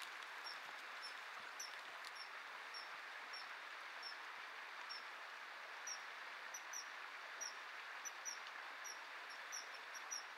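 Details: Common kingfisher pair during courtship feeding, the male offering a fish that the female refuses before he eats it himself; thin, sharp, high whistled calls come in scattered bursts over steady rushing background noise.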